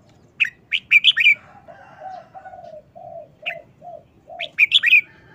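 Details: Red-whiskered bulbul's fast, short wild-style song: quick runs of bright whistled notes at the start and end, a single note in between, with steady low coos from another bird.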